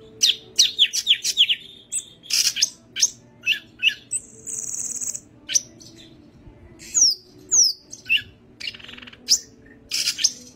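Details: Yellow-headed greater green leafbird singing vigorously with its wings spread: a rapid run of sharp, high, downward-sliding whistles, then a sustained buzzy rasp, followed by spaced chirps and sweeping whistled notes.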